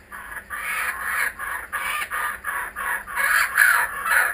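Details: Returning kookaburras utter an evenly pulsed chuckling laugh, about two and a half harsh notes per second, growing louder in the last second and a half.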